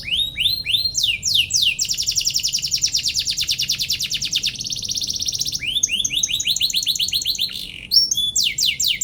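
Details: Canary song meant to provoke rival canaries and to make lazy birds answer and sing again: long, loud, continuous, high song with repeated sweeping chirps, fast rolling trills and rattles, and little pause.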